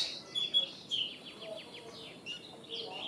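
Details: Common myna giving high whistles, then a quick series of short downward-slurred notes. Softer scratchy notes close the sequence.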